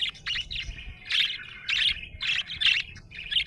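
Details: A cheerful budgerigar repeats loud, harsh chirp bursts roughly every half second, each a scratchy squeak, with quieter chatter between them.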